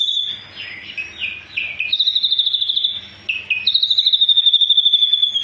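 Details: Ashy drongo song in full tembakan style: stuttering high trills stepping down in short bursts, then long, rapid, evenly pulsed trills at a steady high pitch, repeated twice, with faint low hum beneath.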